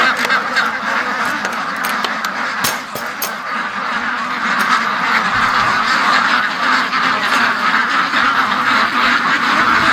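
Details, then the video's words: Domestic ducks, a large flock in a pen, quacking non-stop late in the morning while waiting to be let out; dense overlapping nasal quacks in a continuous chorus, growing louder in the second half, with occasional clicks and knocks. "See, they all were at the other end of the pen because it's been like an hour and 40 minutes of non-stop quacking."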